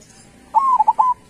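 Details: Single song phrase from a local zebra dove (perkutut) with a big voice: an upswept coo, a long even note, two short pulsing coos, then a held final coo, clear over a quiet background.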